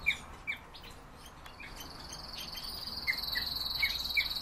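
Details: European bee-eaters giving spaced, short, rolling calls, roughly every half second at times, while a high continuous insect buzz starts partway through and continues to the end.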